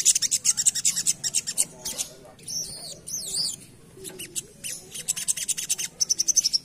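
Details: Asian pied starling singing in full rapid 'ngerap' style, used as a lure: dense rattling chatter, then loud wavering whistled phrases that rise and fall, followed by more quick scratchy bursts and a short string of piping notes.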